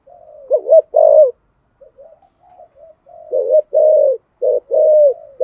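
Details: Spotted dove giving 'giọng thổ' style coos meant to prompt other doves to call; a paired low coo opens, faint murmurs fill a gap, then a run of short and drawn-out hollow coo notes follows.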